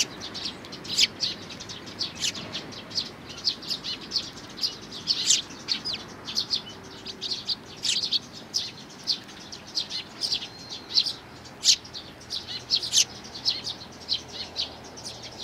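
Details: Eurasian tree sparrow chicks with parents, 11 May 2019: a long continuous chatter of high chirps, irregular and overlapping, with louder sharp notes every second or two throughout.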